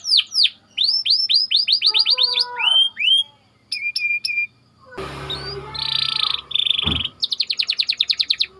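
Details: Canary song used as training bait for other canaries: fast rolled trills of downward-sweeping whistles, short metallic notes, a brief buzzy harsh passage, then a rapid even trill of clipped repeated notes.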